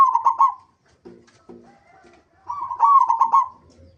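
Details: Lure song of a local zebra dove, meant to get other zebra doves singing: a quick stuttering coo phrase, a pause filled by soft, low, grunting notes, then a louder phrase of clipped, bubbling coos.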